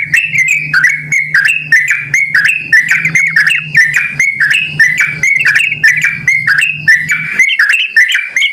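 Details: Calls of a sooty-headed bulbul, played as a lure so that other birds of its kind answer: bright, warbled whistle phrases with quick up-and-down notes, repeated roughly each second, over a low steady hum that stops near the end.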